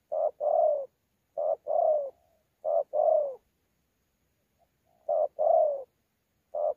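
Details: Spotted dove in Sa Thầy, Vietnam, 26 November 2019, a wild-caught mixed local bird in 'đấu' cooing with 'gù': low hollow two-note phrases with a falling second note, three in a row, a gap, then more.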